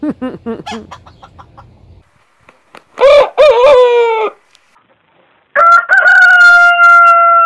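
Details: Rooster crowing: after a run of short clucking notes, a loud rough crow with stepped, falling harmonics, a pause, then a second long sustained crow on a steady tone that holds to the end.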